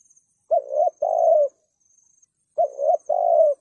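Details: Spotted dove giving 'thúc gù' style cooing to provoke rival males: two low hollow phrases, each a short coo and then a longer drawn-out coo, separated by a pause of about two seconds. A faint steady high whine runs behind.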